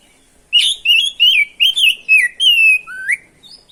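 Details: Lively oriental magpie-robin (kacer gacor) pouring out continuous 'ngerol' song, meant to stir other magpie-robins into singing. Loud, clear whistled phrases rise and fall in quick succession, ending on a long sliding note and a short upward whistle.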